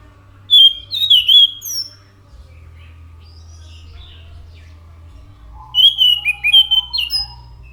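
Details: Scaly thrush (anis macan) singing lively: two bursts of clear whistled phrases, fluty notes wavering and sliding between high pitches, separated by a few seconds of quiet with a low steady hum underneath.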